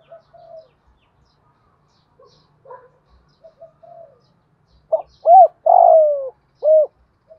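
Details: Spotted dove in the 'thổ đồng' voice style, used to excite and train decoy doves. Soft scattered low coos lead to one loud four-note phrase near the end: two short hollow notes, a long falling coo, then a short closing note.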